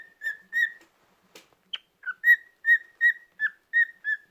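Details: Pet cockatiel on a rest day: two whistles, a sharp click and a high chirp, then a steady series of clear whistled notes repeated roughly every third of a second.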